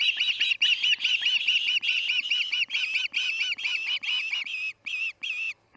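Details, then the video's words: At the Charlo nest on an August 2018 evening, an osprey gives a rapid run of shrill, arched whistles, about two per second, steady at first and then breaking into spaced notes with brief gaps near the end. "Screaming and sneezing - Charlo osprey nest"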